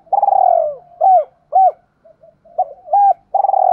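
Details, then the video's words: Caged decoy spotted dove calling in the 'chiêu hai hậu' style to lure wild doves: a long rolling coo, then short rising-falling hooted notes, and another rolling coo at the end. "Tiếng chim cu gáy chiêu hai hậu/ chim cu mồi gáy gọi bổ hai, chim cu đất kích bổi nhanh nổi gù"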